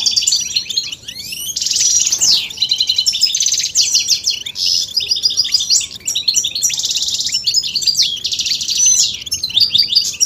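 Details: European goldfinch song used to get males singing: loud, continuous, rapid twittering with buzzy trills and sweeping notes, a brief harsh burst near the start, then dense chattering phrases.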